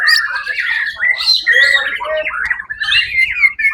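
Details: At a 1 October 2023 songbird contest, the winning white-rumped shama pours out dense, scratchy and whistled phrases, mixing harsh chattering with clear slides, loud throughout.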